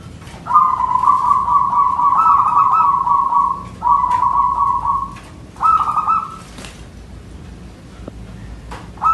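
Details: A male local wild zebra dove with a small, crystal-clear, far-carrying voice, female-like but without giggling notes, gives long, rapid, high cooing trills in runs of about three and one seconds, then short bursts; faint background clicks.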